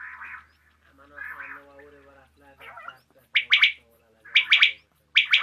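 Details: Common quail (batair), evening recording: low buzzy murmuring notes first, then loud clipped triple-note phrases repeated at about one-second intervals.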